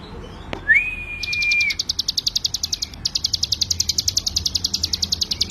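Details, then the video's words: Mountain prinia (ciblek gunung) 'ngebren' song for training other songbirds: a flat, clear whistle first, then a rapid string of high, sharp notes, paused briefly, about three and a half per second. "CIGUN GACOR FULL NGEBREN"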